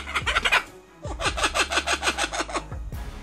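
A kookaburra's raucous laugh: two bursts of rapid, harsh chuckling notes, about eight a second, rising and tumbling, over a low steady hum.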